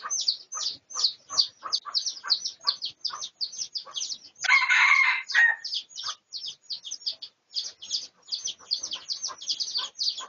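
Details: Research recording of red junglefowl, 18 August 2023. A single rough, broad crow bursts out near the middle, while quick, sharp high-pitched chirps from other birds keep repeating several times a second before and after it.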